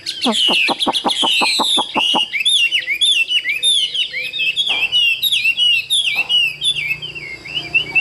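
A Chinese hwamei sings loud, varied phrases: a quick run of about a dozen sharp notes, then rich slurred whistles and warbles in a high register, delivered without pause.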